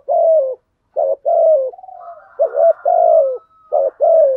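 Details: Cooing from a caged spotted dove used as a lure for wild doves: repeated low mellow phrases, each a brief note then a longer falling coo, with a fainter second higher coo blending in partway.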